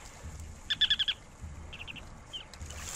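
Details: Ruddy turnstone giving a brief, fast run of five sharp, high ticking notes, followed by a few softer, similar notes and a short slurred note, against a low background rumble.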